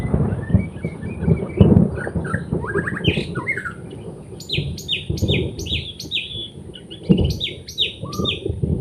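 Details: White-rumped shama in the forest, recorded during bird trapping: scattered whistles over loud low rumbling background noise, then a quick series of high down-slurred notes repeated about every half second.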